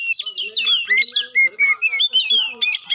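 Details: A short burst of magpie-robin song, meant to provoke a silent bird: loud, clear whistled notes slide down and up between chirpy, scratchy phrases, repeated in quick bursts with brief gaps.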